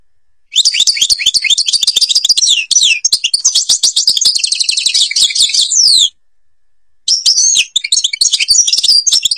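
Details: European goldfinch from Algeria singing a dense, rapid twittering song of high liquid trills and chirps for over five seconds, falling silent for about a second, then resuming the quick jangling phrases.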